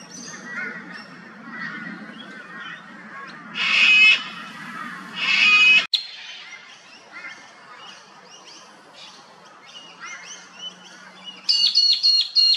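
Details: Sulphur-crested cockatoo in Australia at an old dead tree, where it feeds on honey, chews bark and flaps its wings. Two loud, harsh, rasping screeches come a second apart, amid thin chirps and twittering from smaller birds.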